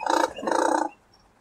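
A Razorbill gives two low, harsh, grating growls, the second longer, each a rough drawn-out 'urrr', then quiet.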